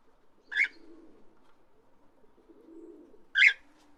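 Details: Parrot giving two loud, harsh screeching calls about three seconds apart, with a low soft murmur in between.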